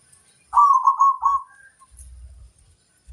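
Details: Champion crossbred zebra dove, a local bird, singing: a single rapid, quavering coo burst of about one second, rolling in three linked pulses, then fading into quiet low rumbling background noise.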